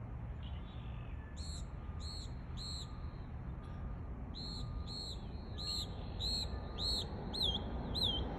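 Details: Mockingbird copying the sounds of other birds, a rapid run of repeated high clear notes, downslurred then looping phrases, each note repeated several times, over steady low outdoor rumble; a person remarks on the different sounds.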